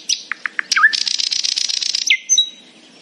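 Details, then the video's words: In the morning a nightingale sings cheerfully, giving a few sharp chirps, then a fast, dense, high-pitched rattling trill lasting over a second, closing on a smooth whistled note. "A happy nightingale singing in the morning."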